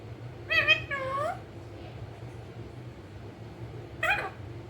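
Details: Talking pet rose-ringed parakeet, green ringneck: two voiced, speech-like harmonic syllables close together, a long pause, then a third similar syllable; faint indoor hum underneath.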